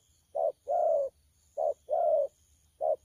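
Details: Young spotted dove, wild-caught, 'thổ pha' cooing recorded 12 October 2019: short-then-long low coo pairs at about one per second, quiet gaps between, faint low rumble underneath.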